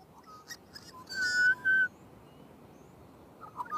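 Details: Singing magpie with soft warbling notes, then two loud, clear, level fluted whistles in quick succession, a quiet pause, and a faint closing warble.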